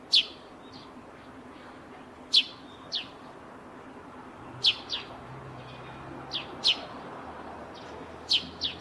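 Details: Near a rooftop nest, a Eurasian tree sparrow gives a run of bright, clipped chirps, often in quick pairs, with brief pauses between bursts. A faint low rumble sits underneath.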